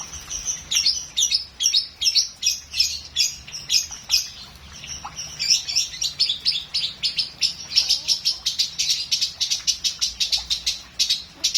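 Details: Lovebird in a full, rich song style delivers a long, unbroken stream of shrill, high-pitched chirps, several per second, pulsing fast and fairly evenly throughout, with a faint low hum underneath.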